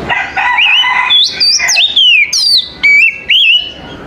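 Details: Oriental magpie-robin singing in the morning, loud whistled notes rising and falling in short phrases separated by brief pauses, with a buzzy harsh opening note.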